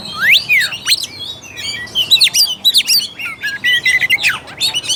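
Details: Song of an Oriental magpie-robin, played to stir a reluctant bird: sweeping rising whistles followed by clusters of quick chirps and trills, delivered in uneven bursts.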